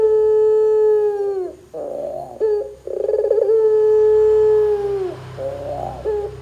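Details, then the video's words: Barbary dove calling to draw other doves into calling. A long level coo falls at its end, then come wavering fragments, a rolled pulse burst and another sustained droning note, over a faint low rumble. "suara PUTER gacor Bikin PUTER Lain dengar cepat IKUT BUNYI"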